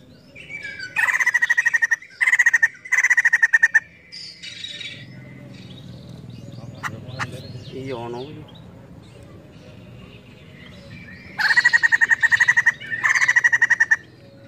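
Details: Female white-crested laughingthrush chattering heavily: short bursts of fast, evenly repeated sharp chirps near one pitch, clustered early and late, separated by a quieter stretch of low murmuring background noise and a few faint other sounds.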